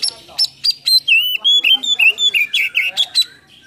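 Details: Singing Oriental magpie-robin with full fill-in song and open cobra-style tail: about a dozen loud, sweet, slurred whistles in quick succession, some rising, some dipping, over a quiet background.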